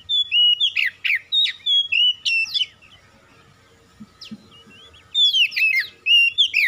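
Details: Oriental magpie-robin singing, played to coax a quiet bird into full song: rapid bursts of strong whistles and sharp slurred notes, a near-silent pause of about two seconds, then the lively phrases resume.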